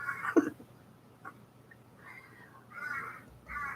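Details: Several crows, 4 or 5 that gather each morning at a back door and are very active, give harsh, rasping caws: four rough calls in under four seconds at uneven intervals, over a faint low background hum.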